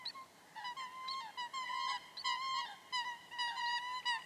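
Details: Coot calling in its natural wetland habitat: a run of short, nasal, honking notes, about two or three a second and slightly uneven in timing, each with a clear harmonic ring, over a quiet background.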